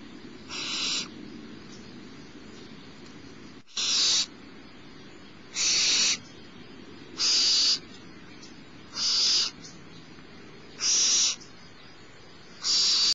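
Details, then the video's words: Smallest barn owl chick at Starr Ranch begging as its mother feeds it, morning of 6 March 2011; a long series of rasping screeches, about one every 1.8 seconds, each half a second long, over low hum. "Starr Ranch Barn Owls: Owlet #6 Feeding"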